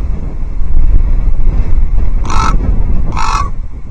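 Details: Common raven near an osprey nest on an old Scots pine at Loch Arkaig, 12 October 2023, warning another raven away with odd clucking: two harsh, rasping calls about a second apart, over steady low rumbling background noise.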